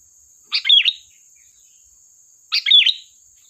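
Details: Sooty-headed bulbul singing in lively gacor style with sharp 'tembakan' phrases, meant as a lure: two short bubbly, chirpy phrases with a dipping whistled note, two seconds apart, over a faint steady high whine.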